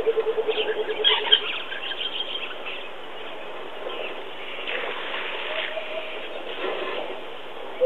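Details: A coucal at Djuma gives a quick run of about seven low, hollow hoots in the opening second, followed by faint, higher background birdsong and hiss.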